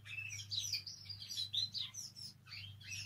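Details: Canary song used to encourage other canaries to sing: a fairly soft, varied run of high warbled notes and short chirps, with a steady low electrical hum underneath.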